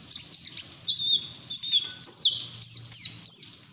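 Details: White-eye ngeriwik singing used as training audio: varied high chirps and short slurred whistles, some rising, some falling, delivered in separate bursts roughly twice a second, with faint low background hum.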